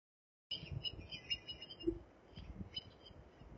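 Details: Brown-headed Cowbird call: a quick run of faint, thin, high squeaky chips over about three seconds against a low rumble of background noise.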